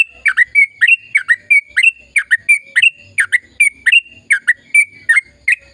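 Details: An energetic sooty-headed bulbul delivers long rolling song meant to prompt silent birds to sing: an unbroken run of crisp, down-slurred chirps paired with short whistles, about three per second, with faint low rumbling behind.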